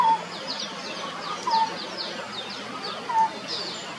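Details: Lineated barbet calling at Bishan Park, followed from tree to tree: short clear notes near the same pitch, repeated about every one and a half seconds, over a busy chorus of high chirping insects or birds.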